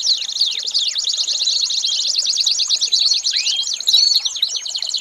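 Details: American Singer canary singing for young birds to learn: rapid, high rolling trill with a few downswept notes, then rising whistles and chirps near the end.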